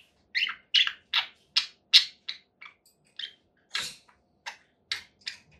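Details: A conure parakeet gives a series of short harsh squawks, about two or three per second, loud at first and then fading, with a few softer chirps between.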